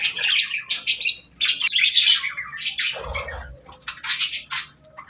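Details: Pet parrot at daybreak giving short, harsh squawks and chirpy notes in uneven bursts, with a soft low thump in the middle and brief quiet gaps between calls.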